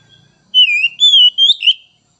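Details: White-rumped shama singing a short phrase of clear, slightly wavering whistles, three linked notes rising toward the end.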